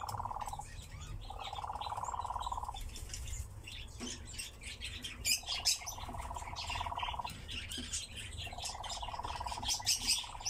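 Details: Churring bouts from a nightjar held in captivity: dry, rapidly pulsed trills lasting one to two seconds, repeated after pauses, under busy high-pitched chirping from other birds.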